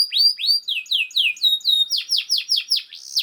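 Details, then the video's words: Canary singing a fast master song for other canaries to learn: a steady run of falling whistled notes, about four per second, each sliding down then repeated more broadly and louder. "KENARI GACOR SPEED RAPAT UNTUK MASTERAN KENARI ANDA"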